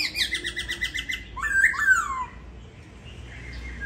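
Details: Laughingthrush in a cage at home in Hanoi, Vietnam, molting its tail: a fast string of short repeated notes, then a loud slurred whistled phrase, trailing off into quiet.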